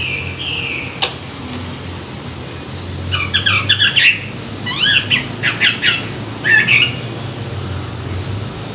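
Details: Morning song of a Chinese hwamei, used as song training; after a quiet start, short bursts of quick slurred whistles come in clusters every second or so, moderately loud, against a steady low hum.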